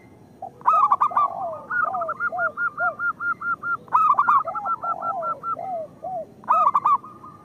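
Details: Local zebra dove song used as a lure to get other zebra doves singing: loud bursts of three or four throaty, rolling coos, then a run of quick, evenly spaced staccato notes and softer, lower curved coos.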